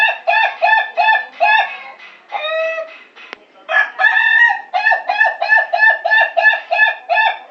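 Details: Ayam Ketawa (laughing chicken) rooster crowing at national contest quality: fast runs of staccato, harmonic notes, about three per second, broken midway by a longer drawn-out note before another rapid laughing series.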